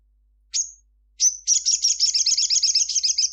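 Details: Crimson sunbird at midday, singing vigorously: two piercing high chips, then a long unbroken trill of rapid, buzzy high notes that continues for about two seconds.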